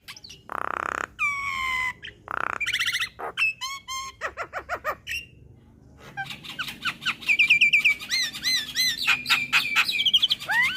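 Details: Yellow-eyed Javan myna singing in a training track for young birds: harsh raspy bursts, then slurred descending whistles, quick stuttering clicks and a run of looping, upward-curving whistled notes.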